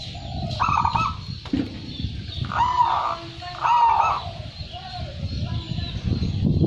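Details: Local zebra dove, a first-prize champion singer, cooing in short mellow phrases: a brief note, then two longer rolling coos about a second apart, over low rumbling background noise.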